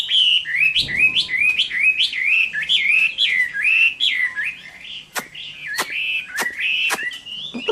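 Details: Hwamei singing a fighting song on a summer noon, Vietnam: rich, looping whistled phrases rising and dipping, delivered rapidly; a brief rustle early and several sharp clicks near the end.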